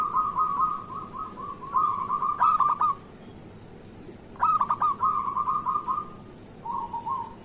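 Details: Local zebra dove singing at dawn as a prompt for silent zebra doves: a long rolling trilled coo, sharp hooked notes, another trill, then a short softer trill.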